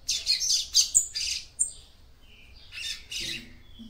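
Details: Female double-collared seedeater singing to stimulate the male: a quick run of loud, harsh high chirps and squeaks, then a pause and a second scratchy cluster. A faint low tone runs beneath.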